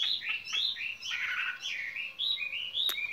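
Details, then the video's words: Skylark kept in a cage, its spring love song heard as a run of short, sweeping warbled phrases, rising and falling, over a steady low background hiss, with one sharp click near the end. "Chim quý ở lồng son ca bản tình ca mùa xuân"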